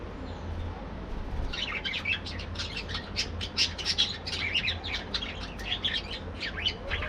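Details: Colony of budgerigars in an aviary during morning activity, breeding and playing: busy overlapping chirps and warbling chatter from many birds, over a steady low hum.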